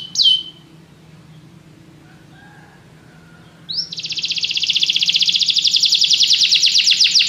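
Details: Canary song with a brief sharp call, a few seconds of near quiet, then a loud high rolling trill of rapid repeated notes carrying to the end.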